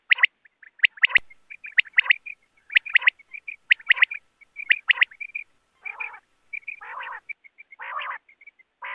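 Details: Wild quail used for net trapping: five rapid three-note phrases, each about a second apart, give way to several rasping nasal growls, with soft notes in between.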